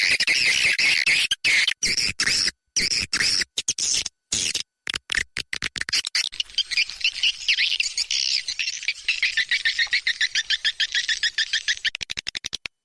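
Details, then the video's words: Swiftlet calling sound of the 'SP Seruling Sakti' style, played to draw swiftlets into a nest house: dense high twittering chirps in rapid bursts, broken by frequent sharp cuts and short silences. "Suara panggil sp walet seruling sakti"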